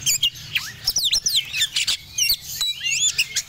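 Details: Kacer from Medan in breeding condition delivers a dense run of high, looping whistles and sharp clicking chirps, rising and falling notes tumbling one after another.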